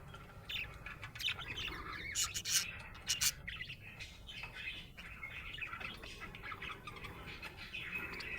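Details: Happy budgie chirping: a warbling twitter with a cluster of loud clicks and squeaks near the start, then a steadier low chatter.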